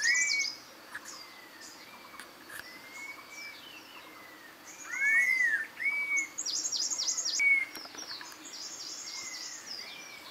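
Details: Red-tailed laughingthrush giving several slurred, clear whistles that rise and then fall gently, scattered across the recording, mixed with short high buzzy bursts from other callers.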